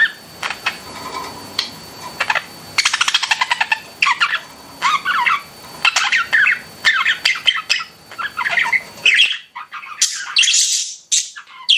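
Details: Pet budgies indoors chattering in a continuous, rapid warble of mixed squeaks, buzzy clicks and chirps that runs without pause, growing louder and higher near the end.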